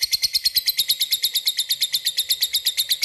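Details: Lovebird chattering in the rapid 'ngekek' style used to call a rival. Shrill, high, rasping chips repeat at a fast, even pace, about seven per second, without pause for the whole stretch.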